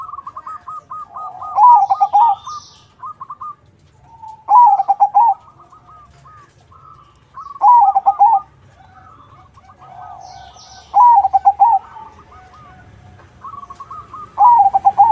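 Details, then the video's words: Zebra dove of the crossing type, song used as bait to draw replies from other zebra doves: five loud, bubbling multi-note coo phrases roughly every three seconds, with softer repeated coos from other doves in between. "Suara Burung PERKUTUT CROSSING Gacor, Paling ampuh untuk pancingan -Semua perkutut nyaut"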